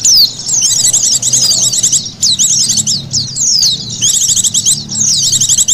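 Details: Lure recording of Oriental white-eye calls for trapping birds: dense high chittering phrases of quick slurred notes, run in bursts separated by short gaps, with faint low rumble beneath.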